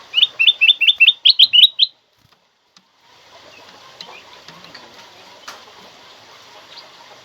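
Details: Black-crested bulbul recorded as training material to stimulate other kept birds to sing and to lure birds: a rapid run of about nine bright, rising chirps over two seconds, then near silence with faint background hiss and scattered clicks.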